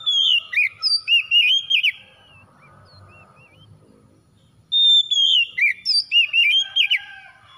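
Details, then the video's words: Kacer (Oriental magpie-robin) song meant to draw a hard-to-start bird into singing: two loud phrases of fluty whistles and looping warbles, separated by a few seconds of quiet with faint low background rumble. "SEKALI PANCING KACER SUSAH BUNYI LANGSUNG ON IKUT GACOR"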